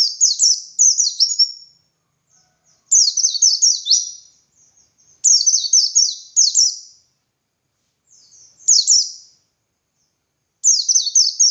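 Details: Training song for other white-eyes, sung by a dakun white-eye in ngalas style: about five separate bursts of high, rapid, downward-slurred twitters, spaced roughly two seconds apart, with faint notes in the gaps.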